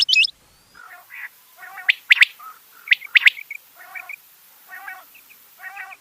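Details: Rain quail, locally called bedana or batair: sharp doubled clicking notes mixed with buzzy, harmonic-rich bursts, repeated roughly once a second, with short pauses between groups.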